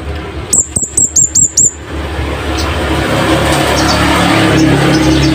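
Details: Master recording of a Scarlet-headed flowerpecker for tutoring caged birds, loud and sharp: six very high, thin, clipped notes in a rapid even series, then steady low traffic-like hum and faint distant chirps.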